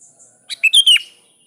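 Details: Sooty-headed bulbul calling a rival: a short bright phrase of four quick notes, a thin upper note followed by three loud whistled slurs sliding down, clean with no other sounds.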